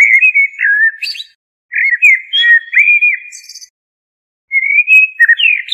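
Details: Common blackbird, Turdus merula, sings rich mellow phrases of looping whistled notes, each tailing off into a squeaky high twitter, with a longer pause before a final rising phrase.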